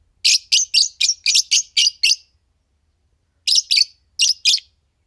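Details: Pair of green Fischer's lovebirds singing and chirping: a run of eight rapid, shrill chirps about four per second, a silent gap, then a shorter burst of four more sharp, high chirps.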